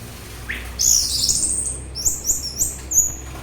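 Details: Orange-headed thrush song, recorded for relaxation and as a lure for thrushes and other birds: a short upslurred note, then a run of high, sharp, whistled phrases and quick trilled notes repeated over about three seconds.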